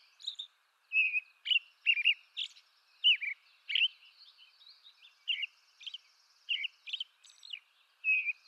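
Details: American robin song from eastern North America: clear whistled caroling phrases, short rising and falling notes repeated in quick series with brief pauses, some higher thin notes mixed in, no other sounds.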